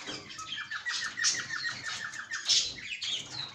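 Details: Caged cockatiel indoors giving harsh squawks mixed with a fast run of short repeated chirps, the notes uneven and overlapping, with a small-room echo.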